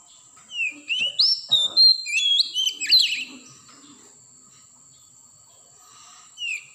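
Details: Wild Oriental magpie-robin singing in the forest. A lively run of slurred whistles and rapid chips lasts about three seconds, followed by quiet and a single later whistle. A steady shrill tone hums behind it.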